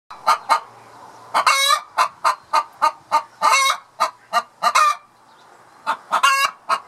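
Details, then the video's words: Hen in Southland, New Zealand, cackling loudly after laying an egg: a run of sharp, evenly spaced clucks broken by longer, harsh, drawn-out squawks, about two per second, with a quiet low hum between notes. "I Laid An Egg - Clucky Chicken"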